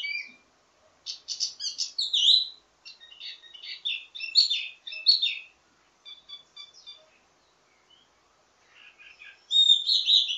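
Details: Wambi mini ledekan song, varied and used as a model for its own kind: scratchy twittering phrases mixing high chirps and whistles, a quieter scattered passage, then a loud closing burst.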